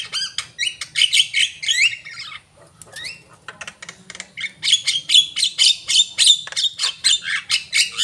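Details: Vigorous Javan myna song: dense runs of scratchy, buzzy clicks and squawks mixed with clear whistled upslurs, delivered in rapid pulses several per second, a short quieter gap near the middle, then a loud chattering stretch to the end.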